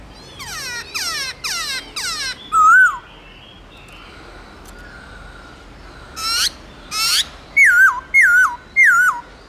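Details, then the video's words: White-browed laughingthrush giving forest-voice song, loud and clear: four quick harsh chattering bursts, one whistled note, a pause, two more raspy bursts, then three descending wavering whistles in quick sequence. "Luyện khướu bạc má Hót Giọng Rừng kích khướu hót cực sung/khướu bạc má hót âm to rõ chuẩn rừng núi"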